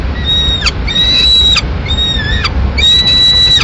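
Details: In Madrid, May 2016, a peregrine falcon mother brings a pigeon to feed the chick still in the nest. Four long, level, nasal wails, each ending in a sharp downward break, sound over a heavy low urban rumble.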